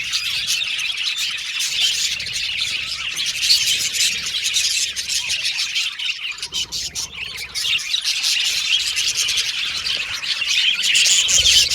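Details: Australian budgies, pet birds, singing and chirping: a dense continuous chatter of many high twittering and whistled notes from several birds at once, with warbles and squeaks overlapping without pause.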